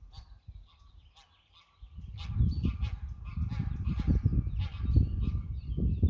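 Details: Greylag geese giving a series of nasal, harmonic honks, quiet at first and then louder and overlapping from about two seconds on, over heavy low rumbling noise.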